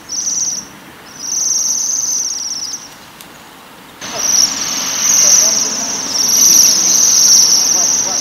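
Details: Thin metallic trills from Waxwings on rowan berries come in separate bursts, then a denser run of trilling over a rougher, noisier background.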